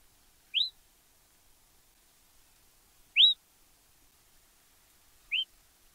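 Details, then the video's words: Yellow-browed Tyrant in Argentina giving three soft, short upslurred squeaky whistles, spaced about two and a half seconds apart, against a silent background. "Suiriri amarillo"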